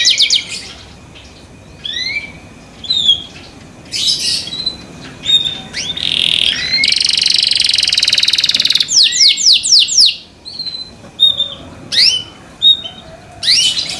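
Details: Canary song in separate bursts: scattered whistles, slurred upward notes and short trills spaced by quiet gaps, with one sustained buzzy trill around seven to nine seconds.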